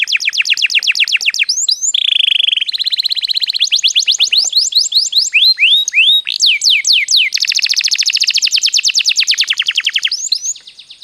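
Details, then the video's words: Canary (kenari) singing, played as a lure to get other birds singing actively. Unbroken rapid trills of sharp downswept notes switch between several note types, with occasional rising slurs and a brief low rolling passage. "suara burung kenari untuk pancingan agar gacor"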